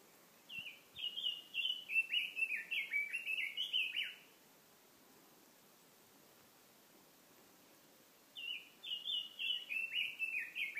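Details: Warbling bird song near a mountain stream, two bursts of quick downslurred chirps at about four per second, the first lasting three seconds, then four seconds of near silence before a second similar phrase begins.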